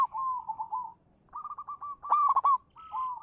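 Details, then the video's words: Perched local zebra dove, a champion lure bird, gives soft trilled cooing runs, a pause, then more coo phrases. A loud, raspy burst follows, then a last fluttering coo. "suara burung perkutut lokal manggung juara pancingan"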